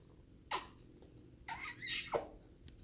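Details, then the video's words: A pet grey parrot indoors makes three short, breathy, kiss-like smacking sounds, the middle one drawn out with a brief hiss, in a quiet room. "Bird Making Different Type of Sound"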